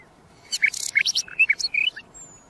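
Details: Common nightingale song with broadband harsh bursts interleaved with short, sharp whistled notes and slurs, delivered rapidly and unevenly, followed by a faint high thin whistle, over low background hiss.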